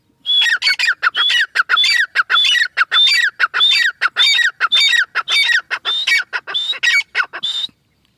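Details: Grey francolin in the final month of breeding season giving a long excited series of loud grating squawks, nearly a hundred a minute, slightly irregular, ending abruptly after seven and a half seconds.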